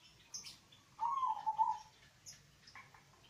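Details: Bass-voiced local zebra dove, sung to coax other doves into calling; one brisk trilled coo phrase of under a second, with a few sharp high chirps from other birds around it.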